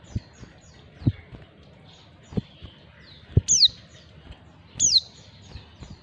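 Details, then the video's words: Female white-eye calling to attract males: two sharp, high, thin downslurred notes about a second and a half apart, over repeated dull low thumps and knocks. "panggilan pleci betina. pleci jantan auto nyawut"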